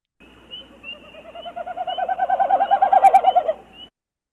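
Wilson's Snipe winnowing: a hollow, fast, pulsing hu-hu-hu-hu that rises in pitch and swells for about three seconds, then fades, made by air rushing over its tail feathers.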